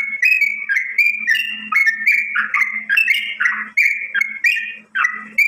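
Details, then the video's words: Greater green leafbird singing actively, a loud, continuous run of varied whistled and chattering phrases, changing every half second or so, over a faint steady low hum. "suara cucak ijo gacor"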